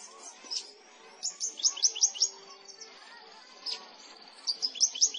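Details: Seven-month-old Javan bush lark from the Gantiwarno rice fields near Klaten, Central Java, delivering a series of sharp high descending chirps in quick runs, with pauses and a few thin whistles between.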